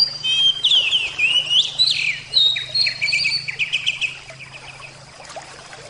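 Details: Oriental magpie-robin, Javan kacer type, singing strongly at first: looping slurred whistles and quick chirped phrases, then a fast run of short repeated notes that fades into low background hum.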